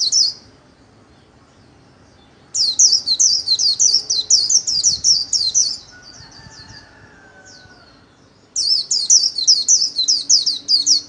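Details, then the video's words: Solo líu song of a trained white-eye: two long bursts of very high, rapid, looping warbled notes, separated by a pause of about five seconds with faint distant sounds. "KHUYÊN LÍU SOLO RẤT HAY - LUYỆN KHUYÊN LÍU MỖI NGÀY"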